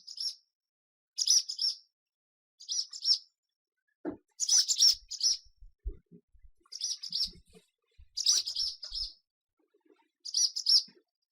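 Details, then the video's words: A swallow gives short bursts of high, twittering chirps, a cluster about every one and a half seconds, with a few faint low knocks in between. "SWALLOW SOUND - SWALLOW SOUND EFFECT - SOUND OF SWALLOW - NOISE OF SWALLOW"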